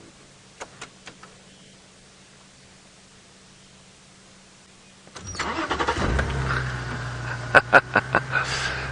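A few clicks and a low hum, then a vehicle engine starts and idles with some knocking and rattling.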